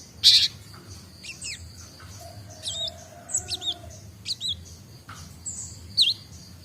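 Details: Cinereous tit, called Gelatik Batu, practising its voice and newly doing ngombyok; a harsh burst, then spaced high wavering whistled notes and a sharp final chip.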